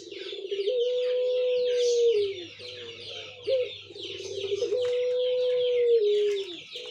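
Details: Caged Barbary dove in a ring singing contest, recorded 17 November 2021, giving the drawn-out pelung cooing style: low, steady, long-held coos, each sliding down at the end, heard in two long phrases. Hissy high background noise and chatter throughout.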